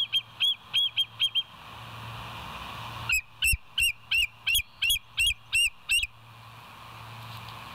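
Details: Bald eagle recorded by a live nature cam on 24 September 2023 at 06:59: a quick burst of high piping notes, a pause, then about ten loud hooked piping calls at a steady pace, over a faint hum.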